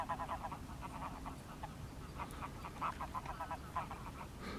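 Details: Greylag geese giving rapid series of nasal, cackling honks, several birds overlapping in bursts, over steady low rumble of wind or distant traffic; recorded 10 March 2021 alongside mallards and a mute swan.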